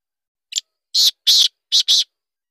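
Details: Black francolin (Francolinus francolinus), call.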